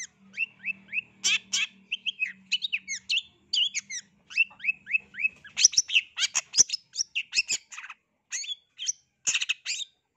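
A Long-tailed shrike pours out a fast, scratchy jumble of high chatters, squeaky whistles and harsh notes, with a faint low hum at the start.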